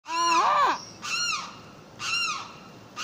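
A Limpkin gives loud, harsh wailing cries, a long first note followed by two shorter ones about a second apart.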